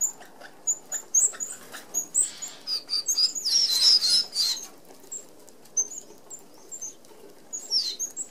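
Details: Flock of Red-browed finches feeding at a mesh-covered feeder in Australia; sparse high peeps building into a dense chattering burst midway, then fading to scattered thin notes with faint wing whirs.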